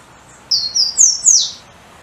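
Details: Golden-crowned warbler, a restless bird that hops about constantly: high, thin whistled phrase of four drawn-out notes, each stepping higher, the last slurring downward, over a soft hiss.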